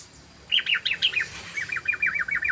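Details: Trucukan, the yellow-vented bulbul, giving a fast 'ropel' song used as a lure: two bursts of bright, tumbling chirps, the second a quick rattling series of even notes.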